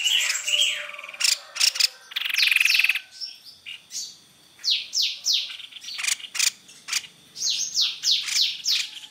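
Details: White-necked babbler lure: twittering notes open, then a short buzzy trill, followed by clusters of steeply falling whistles separated by sharp clicking chirps.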